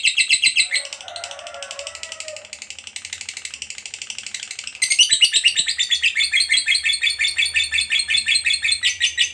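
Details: Fighter lovebird in 'ngekek panjang' long trill style, a lure for silent lovebirds: quieter fast chatter mixed with softer lower warbling for several seconds, then loud rasping pulses resume at a steady rapid pace.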